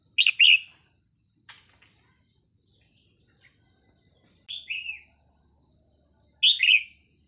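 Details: Morning call of a Red-whiskered Bulbul near a decoy trap: short, rich, slurred double phrases repeated about every two seconds, with a sharp click between them and a constant high hiss behind.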